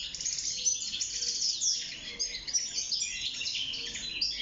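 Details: Caged wild European goldfinch singing while breeding and nest building; a fast, high-pitched twittering flow of bright chirps and liquid trills filling the whole stretch.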